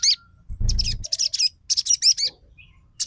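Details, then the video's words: Crimson sunbird lure song in the rapid trotol style, meant to prompt a silent bird to sing and answer: bursts of high, thin, sharp chirps and twitters, with a brief low thump near the start. "PANCINGAN SOGON TROTOL MACET BUNYI LANGSUNG RESPON & NYAUT"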